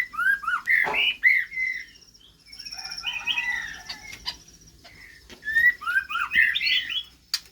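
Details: White-rumped shama in captivity, recorded at the start of pairing for breeding; bursts of clear whistled and slurred notes in varied short phrases, separated by brief pauses, with sharp clicks and some wing fluttering.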